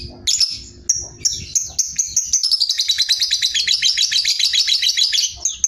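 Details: Sooty-headed bulbul in a rapid ngekek chatter: a few sharp high whistled notes, then a dense, fast run of buzzy repeated notes that are short and tightly spaced, held for several seconds before ending in a brief whistle.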